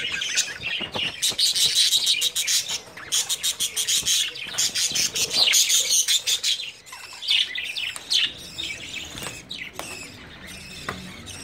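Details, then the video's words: Budgerigars bred in early summer, a loud stream of clicking chirps and rasping chatter, pulses repeated nearly three times a second, thinning out toward the end. "Excellent budgies breeding progress"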